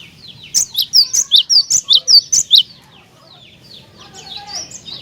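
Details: Cinereous tit in full voice, its song used as bait to provoke other tits: a run of about ten loud, evenly spaced, piercing high notes, then fainter busy twittering.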